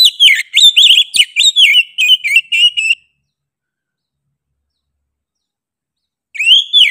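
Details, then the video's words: Oriental magpie-robin (kacer) in 'gacor' song: three seconds of rapid, loud, varied whistles with sharp sweeps and trills, a long silence, then the start of another rising whistled phrase. "KACER GACOR NGOTOT PEDES SUARA NYA GA DA AMPOON"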